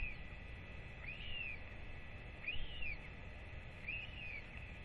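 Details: Hungry northern royal albatross chick wheeing with excitement as its father walks up the hill to feed it; three arched, whistled notes, each rising and then falling, spaced about 1.3 seconds apart, with a constant low background rumble.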